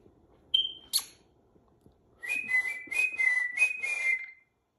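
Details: A rainbow lorikeet in training whistles a string of six rapid, slurred notes, preceded by a single sharp whistle and a click indoors.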